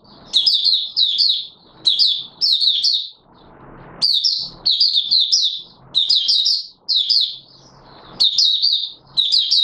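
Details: An Oriental white-eye (Mata Puteh Raja) sings its opening song, recorded 24 March 2022: high, thin, rapid twittering phrases in quick bursts with short pauses between, over a soft low background hum.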